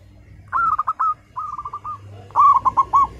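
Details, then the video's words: Local zebra dove singing strongly, used as a lure to get other caged doves singing: three cooing phrases near the same pitch, each a quick run of four or five rolled notes, the middle phrase softer and smoother. "Perkutut lokal gacor, suara seperti ini bagus sekali untuk melatih burung perkutut cepat bunyi."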